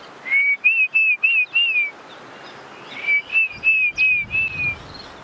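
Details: A Diederik cuckoo calling near a tree with weavers on 18 January 2017 gives two quick runs of five clear, high whistled notes, each note slightly rising then falling, with a short pause between runs.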